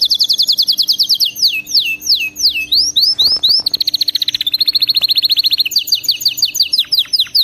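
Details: Canary song meant to get pet canaries singing nonstop: fast trills, a run of falling slurred whistles, a buzzy rapid roll, then more sweeping trills and chirps, varied and continuous.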